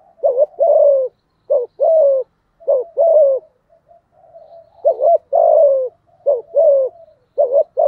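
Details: Repeated cooing of a spotted dove, "giọng thổ" type, aimed at provoking a rival male: low doubled hoots and falling sustained coos in even phrases, around fifty a minute, with faint trailing notes and no background noise.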